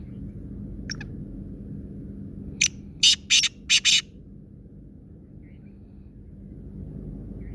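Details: Black francolin, locally called kala teetar, from Sindh and Punjab: a short burst of harsh, scratchy, broadband notes, a single pair of clicks then four grating notes in quick succession, over a steady low hum.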